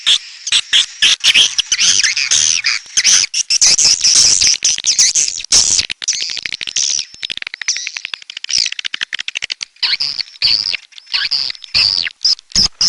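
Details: Edible-nest swiftlets, red-nest type, in a lure recording: busy overlapping shrill chirps and twitters, loudest early on, thinning later into separated, sharp chirp bursts.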